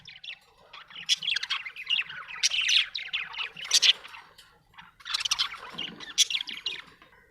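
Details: Happy budgerigar chirping: a soft, continuous scratchy warble with sharp squeaky peaks, dipping quiet briefly before resuming.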